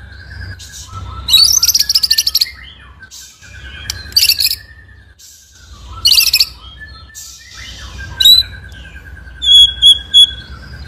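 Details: White-rumped shama, masteran tutor song in 'ngerol nembak' style: soft warbled whistles running underneath, broken by loud short bursts of high buzzy trills every two seconds or so.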